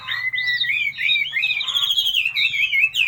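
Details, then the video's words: Chinese hwamei singing a loud, continuous run of varied whistled and warbled notes that rise and fall without pause, with a low steady hum beneath. "Hào mi hót nhất mường nhé"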